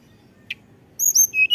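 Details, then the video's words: Snowy-browed flycatcher in strong song, used as a lure to prompt other birds: one short chip, then a quick run of very high, thin, flute-like whistles, some sliding, with a lower clear whistle at the end. "tledekan gunung gacor nyuling"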